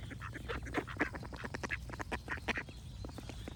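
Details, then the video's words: Flock of ducks giving rapid, raspy quacks that crowd together almost continuously, loud bursts around the middle, over a low background hum. "Cute Ducks Quack Sound Effects with Birds Singing"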